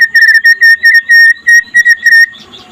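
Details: White-rumped shama singing by day in the trotol style, used as a master recording to make other shamas sing: a run of loud, pure whistled notes on one pitch, evenly repeated, ending in a softer scratchy jumble.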